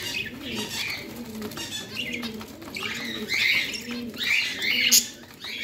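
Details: Indoor parrot chattering in irregular, grating chirps that build toward the end, over a steady bed of low, rounded cooing notes.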